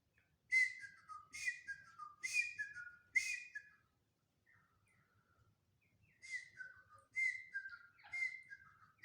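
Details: Black francolin (Francolinus francolinus) calling: loud, ringing phrases of stepped notes dropping in pitch, about one a second, in two bursts with a short quiet gap between.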